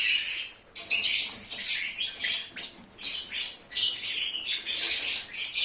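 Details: Lovebirds chirping and singing, meant to call an escaped lovebird back: shrill high chatter in several separate bursts of squeaks and trills, each about a second long, with quieter gaps.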